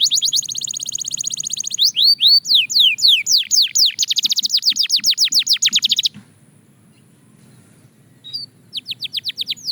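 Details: Fast Belgian canary song with a high buzzy trill, loud descending sweeping notes in quick succession, a pause of two seconds, then the chirping series restarts.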